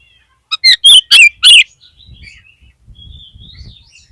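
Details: Kacer (oriental magpie-robin) lure song for lifting a dropped bird's mental state: five rapid, loud, buzzy whistled notes, followed by softer warbling twitters over a faint low rustle.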